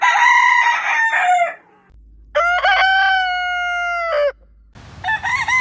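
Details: Morning crowing of roosters: the tail of one crow fades out, then a full crow of about two seconds, steady and richly harmonic with a falling end, followed by the onset of a further crow after a short pause.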